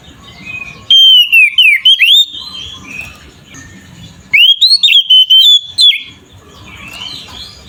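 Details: Oriental magpie-robin in ngeplong style, aggressive fighting song used to provoke other magpie-robins into singing: two loud bursts of clear whistled notes swooping between low and high pitch, each about a second and a half, separated by quiet pauses.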